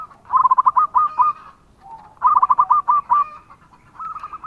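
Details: Local zebra dove (perkutut lokal), a lively singer whose song is played as a lure to make other doves answer. It gives two stuttering cooing phrases of quick, clipped, rolling notes, then a third phrase begins.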